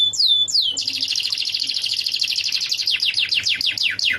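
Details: Tutor song of a canary for a lovebird: two clear down-slurred whistles, then a long rapid rolling trill of repeated strokes that gradually slows into separate descending sweeps.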